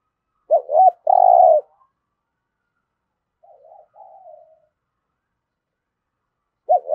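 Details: Spotted dove cooing to stimulate captive birds, 'thổ' voice: one full phrase of two hooked notes and a long coo, then faint wavering murmurs, and the start of another phrase.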